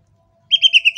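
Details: Sumatran leafbird, a yellow-headed form kept as a cage bird, giving a short burst of rapid, rhythmic, high warbled notes repeated about four times, preceded by silence.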